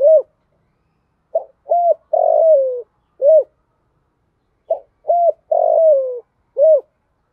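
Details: Captive decoy hen spotted dove calling to attract wild males, 'giọng thổ pha' style, single ending note. Two matching phrases: a quick note, an arched hoot, a long descending coo and a short closing hoot, several seconds apart.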